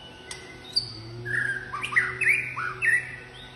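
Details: A white-rumped shama sings during a display, giving a varied, many-voiced run of rich, slurred whistles and quick rising and falling phrases, with a few sharp high notes over a low steady hum.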